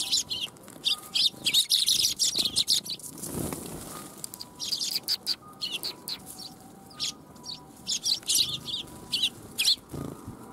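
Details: A group of sparrows coming to be fed at a Tenmangu shrine, 1 January 2021, chirping busily in rapid, uneven bursts, with a brief whoosh of wings and soft faint tones behind.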